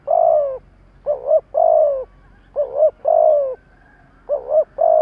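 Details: Spotted dove used as a decoy, calling to provoke wild doves. Steady low cooing: a long falling coo alternating with a quick doubled coo, several times over a faint background hum.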